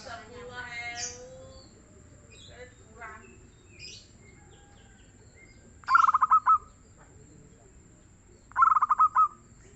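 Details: A local zebra dove with a prolific, mellow song gives two quick phrases of fast, stuttered cooing notes, each closing on a longer note, about three seconds apart. Scattered chirps and calls from other birds come first.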